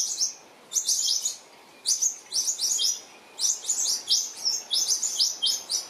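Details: New Holland honeyeaters, bathing as a noisy group and disturbing a resting western grey kangaroo and her joey, give very high, sharp chattering chips in quick bursts, several bursts over a few seconds, with a faint background hiss.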